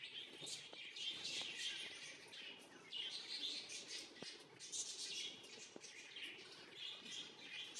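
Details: Blue female budgerigars chatter continuously with high, scratchy warbles and quick chirps.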